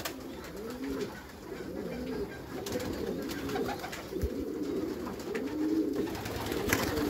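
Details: Meulemans racing pigeons cooing in a backyard loft: deep, rolling, arched coos repeat roughly once a second from several birds at once over a steady low hum of the loft.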